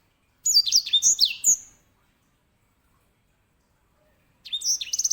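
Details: Grey singing finch (Serinus leucopygius), a small finch kept as a master bird for canaries, singing a loud phrase of high whistled slurs and sweeping notes lasting over a second, then silence before another burst of rapid notes begins.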